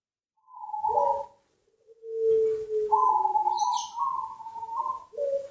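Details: Zebra dove (perkutut) giving a lure song in a quiet setting: a short coo, then a long, low, level hooting note, then a series of higher, slightly rising coos with brief breaks. A faint higher rustle is heard near the middle.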